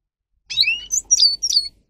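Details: Brief phrase of Carduelis caniceps training song: a rising slurred whistle followed by three sharp, ringing twitters in close succession, each note separated by a slight dip.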